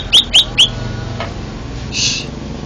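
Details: Three sharp rising whistles in quick succession from a first-place competition greater green leafbird in Banten, Indonesia, followed by a faint note and a brief burst of hiss.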